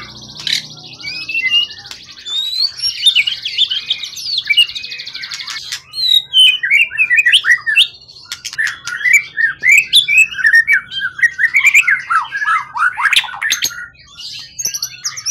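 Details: Competition songbird of wild origin, tail 20 cm plus, accomplished and steady after long care, singing in peak form: a buzzy high trill opens, then a dense run of quick whistled slurs and chattering notes with clicks throughout.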